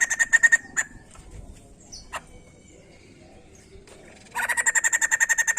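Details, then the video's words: Song of a white-crested laughingthrush, played to get other birds singing: a short burst of chattering notes, scattered single calls over a quiet background, then a steady rapid rattle of pulsed notes to the end. "Sekali putar Burung poksay Jambul langsung bunyi"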